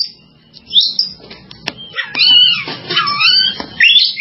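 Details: Oriental magpie-robin song opening with quiet scratchy notes, followed by loud sweeping whistles that rise and fall and then bright warbled phrases, with a faint low background drone.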